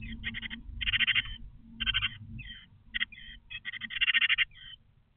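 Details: Seven nestling birds, one small and six larger, begging as both parents bring the first feed at dawn after a cold, wet night in Vienna; harsh, buzzy chirps in rapid clustered bursts, some long and rasping, over a low rumble.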